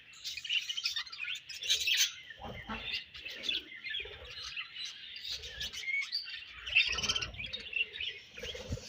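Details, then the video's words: Budgerigars chirping as a colony, a dense ongoing chorus of high twittering notes, squeaks and warbles, with light tapping sounds. "Budgies Colony Chirping Sounds"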